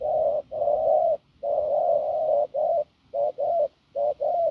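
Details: Spotted dove from the fields, hoarse and strong, opening with long sustained low coos, then switching to quicker short-long coo pairs repeated about every second.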